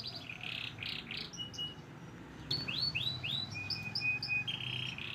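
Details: Singing white crested canary: buzzy rolled notes, then a series of swooping upslurred whistles and a thin steady tone, ending in a quick buzzy trill.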